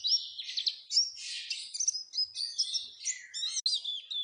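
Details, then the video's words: Oriental white-eye lure song, played to get white-eyes singing often: high, thin twittering with quick rising and falling whistled notes and short buzzy bursts running without pause. "Pancingan supaya pleci cepat gacor"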